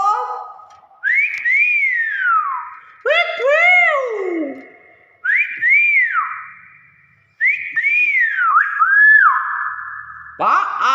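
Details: Talking hill myna giving long whistled notes that rise and then slide down, in separate phrases of one to two seconds with short gaps, indoors.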